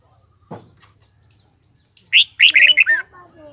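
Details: Red-whiskered bulbul: a few faint thin notes and a soft thump, then a loud, rich, warbling phrase of five quick tumbling notes ending in a lower, fading slur.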